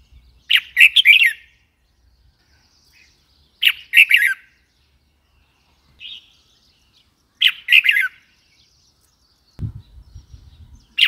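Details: A red-whiskered bulbul sings out a cheerful, bubbly burst of quick whistled notes about every three and a half seconds, with a softer note between and low thumps near the end.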